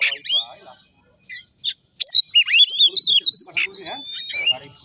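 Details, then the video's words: Magpie-robin song played to excite other birds into singing: a short whistled phrase, a brief near-silent gap with a few clicks, then a bright run of rising and falling whistles over faint lower chatter. "pemancing emosi burung kacer"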